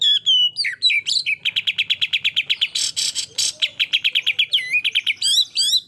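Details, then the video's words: White-rumped shama song meant to stir a rival, a few clear whistles then a long rapid train of repeated sharp chips, a harsh burst in the middle, ending in twisting whistles. "tEsS mental kacer,suara full tembakan...bikin emosi lawan"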